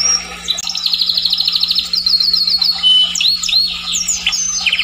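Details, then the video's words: Song of a Scotch Fancy canary, a varied run of rolling trills, thin high whistles and looping upslurred notes, delivered without pause; a constant low hum runs beneath. "kenari scotch fancy atau kenari SF"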